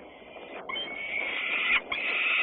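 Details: Peregrine falcon recorded in Włocławec, Poland, on a Sunday afternoon, 6 June 2010: one continuous, strained wailing call that swells, breaks briefly, then resumes.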